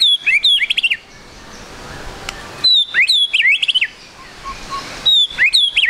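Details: White-rumped shama song as a lure for fast singing: three bursts of high whistles with steep downward sweeps and sharp ticks, separated by quiet gaps with faint low notes.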